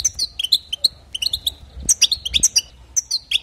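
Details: European goldfinch singing to stir up other goldfinches, a quick run of bright chirps and tinkling, slurred notes delivered in lively clusters, with faint low rumble beneath.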